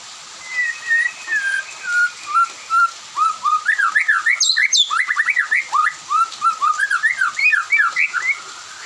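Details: White-rumped shama afternoon song that sets others answering: soft, level whistles build into a lively run of varied, rapid, up-and-down whistled notes, continuing without pause.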